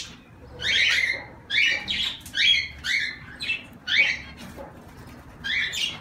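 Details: Zebra finches uttering clear, separate nasal honks that dip and rise, one every second or so, with short quiet gaps between them.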